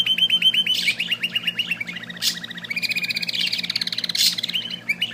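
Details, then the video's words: Little bird delivering rapid trilled song: strings of quick, bright chirps that shift to a slightly higher, buzzier trill partway through, broken by short high-pitched bursts, against a faint low hum. "amazing little bird singing"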